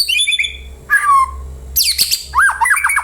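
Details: White-rumped shama used as a lure so other birds reply: a high level whistle, a harsh buzzy downslurred note, a loud noisy burst, then a rapid series of short looping notes, with a low hum.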